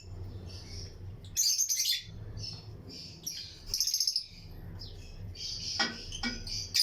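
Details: Lutino lovebirds chirping in a breeding colony cage among other aviary birds; two loud bursts of buzzy, chattering high chirps separated by softer twittering, plus a few sharp clicks.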